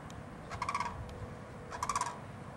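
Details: Two rolling, trilled rattle calls from a sandhill crane that flew in to Winding Waters Natural Area, West Palm Beach, Florida, each a quick burst of pulses about a second apart over a quiet outdoor background.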